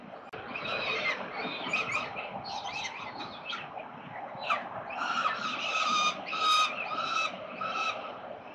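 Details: Repeated grating, squealing calls of peregrine falcons at a nest in Melbourne, Australia, 13 November 2022, come thickly, with some clear tonal notes among the harsh ones. Low city noise runs underneath.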